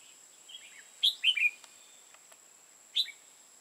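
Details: Decoy red-whiskered bulbul at a trapping site in Hòa Bình, Vietnam, giving a faint lead-in note, then a loud burst of three fast slurred whistles and a single clipped note after a pause, over a constant thin high tone.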